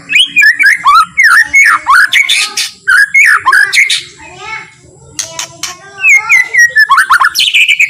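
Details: White-rumped shama giving a calm, slow song intended to make other shamas sing and get worked up: rapid chains of rising and falling whistled slurs, a brief lull midway, then renewed quick phrases; faint low hum.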